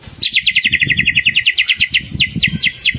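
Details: Champion contest white-rumped shama in frenzied, nonstop training song: a fast, even run of bright chirping notes, about eight per second, with a downward-stepping burst near the end. Low thumping knocks sound underneath.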